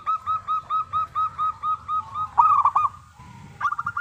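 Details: Local zebra dove song intended to make other doves sing. A steady series of even, clipped coo notes at about four per second leads into a louder rolling trill, then a quieter pause and a final short trilled phrase.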